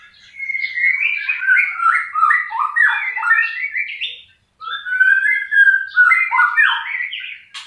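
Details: White-rumped shama in steady song: a fast, continuous stream of varied whistles and warbled notes, briefly interrupted by a short silence before the jumbled melodious phrases resume.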